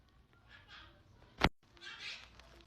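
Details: Monk parakeet (Myiopsitta monachus), mimicked speech: calling its owner by saying "mama".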